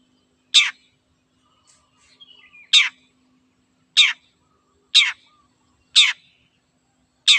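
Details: Long-tailed shrike, locally cendet, in a tutor recording made to train and lure songbirds: loud, harsh, rasping notes repeated roughly once a second, with a soft sliding whistle between the first two notes, against a quiet background.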